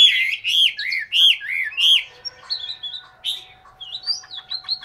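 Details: Captive Chinese hwamei from Hanoi, Vietnam: four loud, rich arched whistles in quick succession, followed by softer thin whistled phrases and a few quiet repeated notes; a low steady hum runs throughout.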